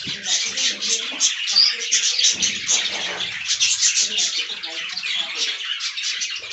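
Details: A group of budgerigars enjoying fresh green leaves produces an unbroken wash of high chirping and warbling, many birds calling together, with low murmuring background sounds throughout.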